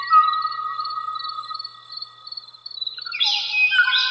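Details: A male Kauai oo, in what is called its last song, sings long, steady, flute-like whistles, then breaks into a brief burst of richer warbling notes.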